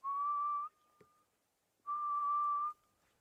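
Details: Grey-headed Bushshrike calling in the background on a sunrise safari drive, 15 October 2016: two long, mournful, steady whistles, each almost a second long and rising slightly at the end, separated by a pause of about a second.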